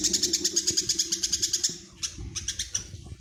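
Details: Tame, chatty Eurasian tree sparrow calling by day and night: a fast, even run of about fourteen high, sharp chirps, then a short pause and a second, looser burst, with soft low knocks underneath.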